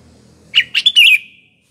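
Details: Sooty-headed bulbul singing as a lure for morning, afternoon and night: a brief phrase of three quick notes ending in a longer, clear, wavering whistled note, with a soft low hum beforehand.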